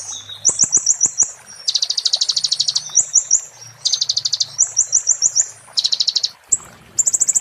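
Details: Oriental white-eye singing 'muntah beling' as tutor material for magpie-robins and shamas: alternating thin slurred whistles and dense buzzy rattling trills in rapid succession, with a faint low hum beneath.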